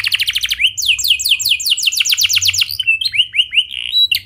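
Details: Clear rolling canary song meant to prompt other canaries to sing: a rapid high trill gives way to a run of descending slurred notes, ending in shorter rising and falling whistles, with no other sounds.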